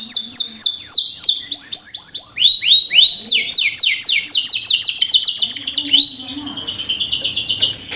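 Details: Canary song for training young canaries to sing: continuous chains of rapid downward-sweeping whistles rising and falling in pitch, becoming a fast rattling trill that fades at the close.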